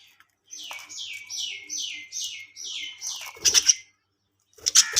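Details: Colony budgerigars: a series of six repeated falling whistled notes about every half second, followed by loud sharp squawks.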